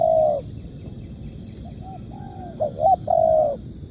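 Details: Spotted dove (tekukur) cooing as a lure call for bird trapping: a loud mid-pitched coo, then a pause, then a quick sequence of short hooked notes ending in a long level coo, over a low rumbling background.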